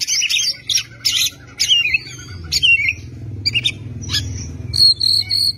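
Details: Oriental magpie-robin tutor song: bursts of harsh chattering notes mixed with clear whistled slurs and a long sustained high whistle, over a low background hum.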